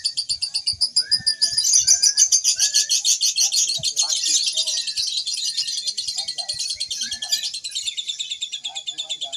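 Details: Lovebird singing at a Mahadewa Single Fighter training contest in Indonesia: a long, fast, high, buzzy trill of rapidly repeated notes, about 200 per minute, held for seconds, with other chirping birds, music and people talking around.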